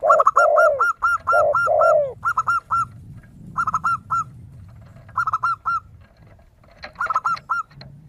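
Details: Zebra dove (perkutut) in crystal-voiced 'gacor' song, a lure recording to make other birds respond; rapid series of short, bright, repeated notes in groups of three to seven, opening with a few deep, rounded spotted dove (tekukur) coos over low background hum.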